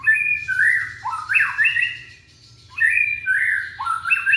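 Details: Young white-rumped shama from Indonesia, sung to coax silent shamas into singing: two bursts of harsh, squawky rising and falling phrases, each about two seconds long, separated by a brief pause, over a low background hum.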